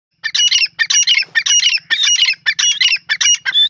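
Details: Grey francolin calling in a jungle: a loud, shrill, harsh series of rapid grating phrases, repeated almost without pause, high-pitched and clear against a quiet background.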